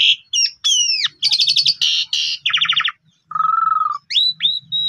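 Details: Asian pied starling singing, used to coax other birds into song: varied loud phrases of whistled slurs, rapid buzzy rattling bursts, and a steady lower nasal trill, with gaps of silence between.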